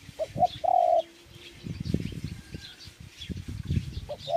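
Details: One dove phrase of two brief coos leading into a longer sustained coo, followed by low rumbling noise and faint chirping.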